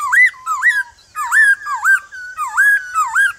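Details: Male white-cheeked laughingthrush singing its wild-type song in the morning to make a freshly caught bird sing back: a rapid series of looping whistles that rise and fall, roughly two per second, full and ringing.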